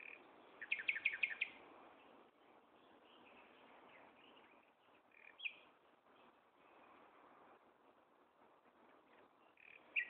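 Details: Common nightingale at Gaasperzoom, 16 May 2012, 15:30: a rapid run of about six loud, repeated ringing notes opens the phrase. Scattered quieter chirps and a single sharp note at the end follow, over steady hiss.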